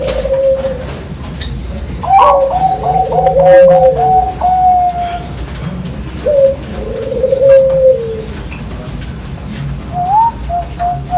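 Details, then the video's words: Bangkok-type zebra dove from Sidoarjo, East Java, singing in the standard 'pakem' style: a series of clear, mellow coos, some held and gently falling, some quick and stuttered, in phrases broken by short pauses, with faint room noise. "Perkutut Bangkok Suara Pakem"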